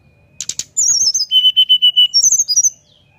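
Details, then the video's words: Brown-chested jungle flycatcher singing in nyuling style with its beak open, meant to prompt other birds to join in: high chirps, then a rapid run of clear whistled notes, falling then level, ending in higher wavering whistles. "Srdc nyuling buka paruh untuk pancing SRDC lain ikut bunyi ampuh"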